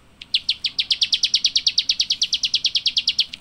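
Java sparrow giving a rapid run of about two dozen sharp, high chips, roughly eight per second, steady and clean with no other sounds.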